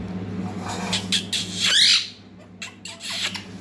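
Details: Baby parrot attempting to talk, giving harsh, noisy squawks and breathy rasping bursts, one long grating squawk in the middle, over a constant low hum.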